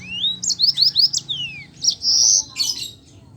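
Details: Yellow-fronted canary song in the rolling 'ngeroll' style, used to provoke silent canaries: a rising whistle, then a series of quick down-slurred notes, a long clear high tone and a final buzzy flourish.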